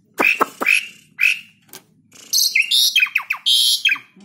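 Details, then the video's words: Tame, vocal Asian pied starling used as a lure for other birds; sharp chip notes followed by a dense stream of high whistled and downslurred chattering phrases. "JALAK SUREN GACOR ANTI STRES FULL ISIAN BUAT PANCINGAN BURUNG LAIN"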